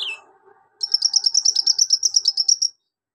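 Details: A Javan magpie-robin sings energetically, its song laced with imitations of golden grasshopper, lovebird and cricket. A brief falling whistle gives way to a fast, even, buzzy trill of about twelve pulses lasting two seconds, over a faint low background murmur.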